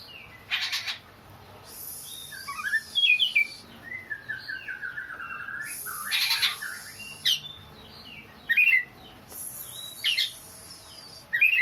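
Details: Oriental magpie-robin giving a sobbing, crying-child-like song: chains of short descending whistled notes and twisting chirps, broken by loud harsh rasping bursts roughly every three seconds.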